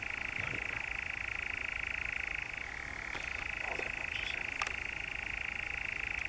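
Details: A European nightjar in Norfolk's Brecks, July 2017, churring in a long unbroken trill that slips briefly lower mid-way and then returns, with a couple of light clicks over it.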